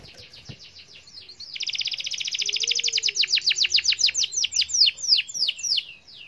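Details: Canary singing as a lure to get silent canaries singing: faint high notes lead into a rapid buzzing trill that swells in loudness, then loosens into slower downward-slurred whistles repeated several times a second.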